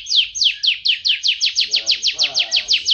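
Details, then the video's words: Caged contest-champion canary singing a fast, even series of sharply descending sweeping notes, about five per second, forming a loud rolling trill, with a faint lower murmur partway through. "kicauan kenari master juara kontes"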